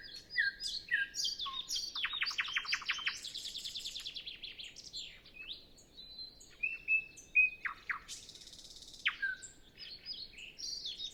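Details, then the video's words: Nightingale singing before sunrise on a windless morning; sweet whistled slurs, a fast rattling series of repeated strokes, a buzzy high trill, pure sustained whistles and sharp downslurs. "Nightingale Sound Library"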